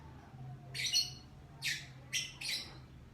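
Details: Morning call of a lovebird: four short, harsh, buzzy squawks spread over about two seconds, the first one doubled, with a faint low hum behind.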